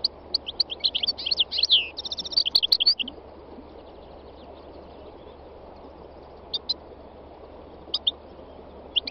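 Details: Wild European goldfinch (khalwi) pouring out a fast jangling phrase of twitters and a buzzy trill for three seconds, followed by near silence with occasional isolated sharp chirps against background hiss.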